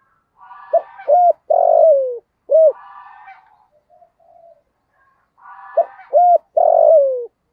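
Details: Spotted dove kept as a lure to provoke wild doves, calling 'thúc gù' in 'giọng thổ' voice: two series of short sharp coos ending in a long falling coo, with softer rasping notes between.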